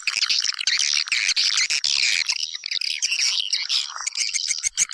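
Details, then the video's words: Swiftlets, in a recording played to attract them into a house: a continuous chorus of harsh, buzzy twittering from many birds. It is high-pitched and almost unbroken, with a few short gaps. "Âm thanh dụ Yến vào nhà"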